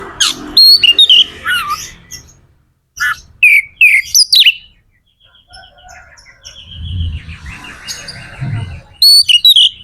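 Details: Magpie-robin in vigorous full song, played to stir other magpie-robins into singing: bursts of sharp, varied whistles and rising and falling slurred notes, a quiet pause, then low rumbling noise before the loud whistles return.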